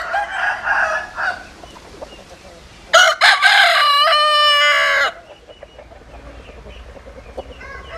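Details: Farmyard rooster gives a distant crow, then a close, loud crow of about two seconds with a stuttering start and a long drawn-out tail, followed by scattered soft clucks.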